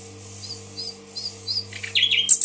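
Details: Nightingale recorded in Tashkent: four soft, evenly spaced high whistles, then a sudden loud burst of harsh chirping notes at the end, over a faint steady hum.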